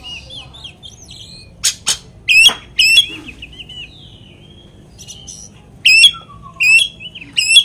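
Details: Oriental magpie-robin song used as a lure to make another magpie-robin agitated: wavering whistled phrases alternating with sharp, sudden chirps and short pauses between bursts, against a quiet background.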